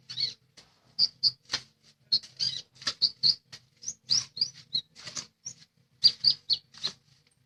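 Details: Vigorous singing from a lesser green leafbird: quick runs of high, sharp chirps and short whistled slurs, delivered almost continuously in clipped bursts with a few slightly lower notes, over a soft low hum.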